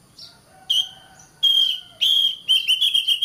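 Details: Kacer, the oriental magpie-robin, in a masteran for caged birds: faint low tones, then loud sustained flat whistles and a closing string of quick pulsed notes.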